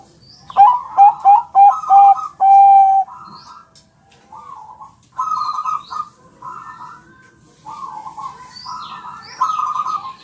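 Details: Bangkok perkutut (zebra dove) singing for a training recording meant to make birds answer: quick stuttered coos ending in a long level note, followed by several softer buzzy cooing phrases spaced through the recording.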